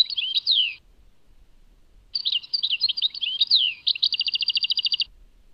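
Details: European goldfinch in song, labelled Tadmait: a short twittering phrase, a pause, then liquid chirps and slurs running into a fast, evenly pulsed trill.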